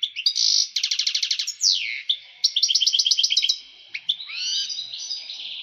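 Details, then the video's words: European goldfinch in excited breeding song, used to stimulate females for mating. Bursts of rapid twittering trills are broken by short pauses, and a descending slurred note and some curving whistled notes follow near the end. "هيجان حسون في قمة الجهوزية لتحفيز على تلقيح وتجهيز إنات الحسون لتزاوج"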